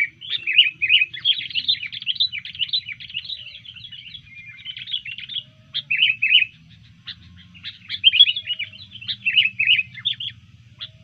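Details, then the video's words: Disturbed sooty-headed bulbul singing in a fighting mood: dense chattering bursts of bright, tumbling chirps and whistles, separated by short pauses, over a soft low rumble. "Burung kutilang Gacor ketika di usik keluar Fighter Tarung nya"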